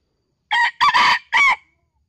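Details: Young junglefowl at dawn in Kuansing gives one clear three-part crow: a short opening note, a longer harsh middle section, then a final note that falls away, all loud against silence.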